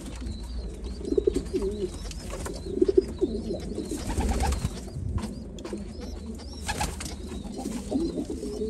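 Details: Several white homing pigeons coo indoors, giving deep, murmuring coos in uneven clusters over a steady low rumble, with faint, thin whistle-like notes recurring high above.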